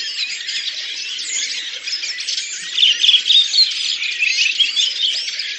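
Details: A flock of redwings sings together at Lipovaya Hill, Oka Nature Reserve, Russia, in April 2019, in a dense, continuous twittering chorus of high, scratchy notes and squeaks.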